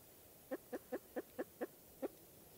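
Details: Spruce grouse of eastern North America: a run of seven short, low clucking hoots, repeated about every fifth of a second with a slightly longer pause before the last note, over a quiet, still background.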